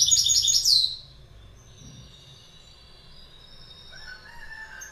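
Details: A short, bright burst of goldfinch twittering lasting about a second, followed by faint thin tones and quiet background.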